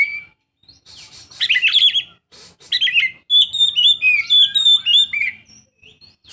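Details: Oriental magpie-robin, a young bird, delivering a lively high-pitched song of scratchy chirps mixed with clear, sliding whistles, phrases coming in quick bursts with brief pauses between.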